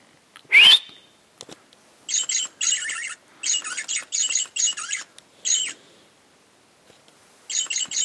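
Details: Parakeet singing while moving: runs of buzzy, chattering half-second bursts, opening with one sharp rising chirp before the rasping phrases resume.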